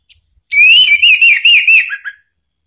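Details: Orange-headed thrush (anis merah) song used as a provoking lure to make another bird answer and sing: a loud warbled whistled phrase of about one and a half seconds, wavering up and down, ending in two lower slurred notes; otherwise quiet.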